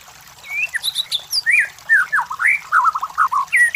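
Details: Lure song of the White-rumped shama for provoking competition birds, a varied string of slurred whistles, some rising, some falling, with high thin notes early and a quick descending trill near the end.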